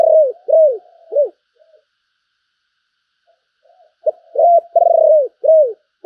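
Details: Handsome decoy spotted dove in full calling: a series of loud arched coos, three in quick succession, a pause with faint murmurs, then a burst of four or five more, one rolling and pulsed.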